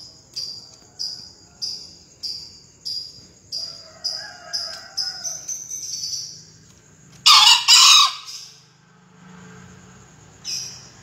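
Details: Rapid, regular high chirps from another bird lead up to a green junglefowl's loud, rough two-note crow, from a 2020 crowing-contest recording; quieter background afterward.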